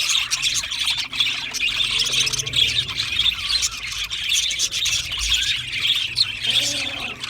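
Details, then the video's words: Australian budgerigar chatter fills the whole stretch: steady high twittering and chirps from many birds, with a faint low thump partway through. "Australian Budgie parrot chirping sounds | beautiful Budgie birds sounds"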